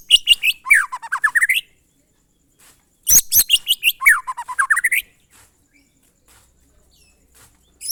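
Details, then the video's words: White-rumped shama repeating its monotonous glondong song, high whistled notes and a fast descending-then-rising series of slurred notes, given in three bursts separated by short silences. "suara burung murai batu "MONOTON"alias GLONDONG"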